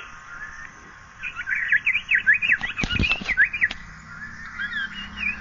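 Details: Asian paradise flycatcher delivering a fast chain of looping, sweet whistled notes for over two seconds, crossed by several sharp knocking clicks, then trailing off into softer high notes.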